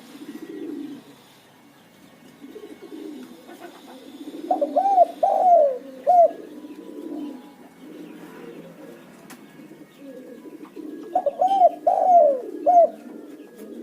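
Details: Spotted dove cooing as a lure to set other doves calling nonstop: soft low murmurs lead into bursts of three mellow, hooting coos, the phrase repeated twice.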